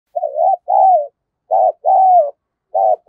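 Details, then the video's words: Caged decoy spotted dove calling to lure wild doves, in the thúc and gáy styles: mid-pitched coos in pairs, a short wavering note then a longer falling one, three pairs in about three seconds, clean background. "Chim Cu Mồi Thúc Và Gáy Gọi Bổi"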